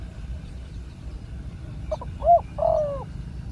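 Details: Spotted dove, a wild bird noted for its deep, large coo, called in by a decoy. One fairly soft phrase late in the recording: a few quick clipped notes, then a longer coo, above a faint low hum.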